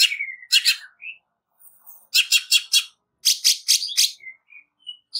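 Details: Greater green leafbird, harsh 'nembak kasar' song for a training recording. Short groups of loud, clipped, broadband rasping notes come in bursts of three or four, mixed with a few thin whistles and short pauses.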